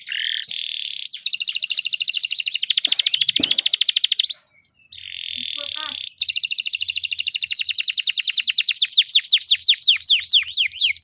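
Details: Long canary song played to teach young canaries: sustained rapid buzzy trills, a brief pause with soft chirps, then a fast rattling trill that slows into separate downward-sweeping whistled notes.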